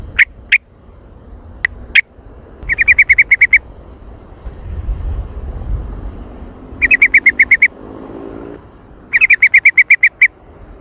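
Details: Trucukan, the yellow-vented bulbul, jontrot style: a few single sharp chips, then three rapid rattling runs of eight to ten bright even notes, spaced by pauses, with faint low hum.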